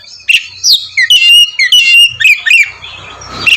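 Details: Oriental magpie-robin in provoking 'ngeplong' song: a string of clear, high whistles and sweeping slurred notes, some held briefly, over a faint low hum, ending in a short noisy rustle.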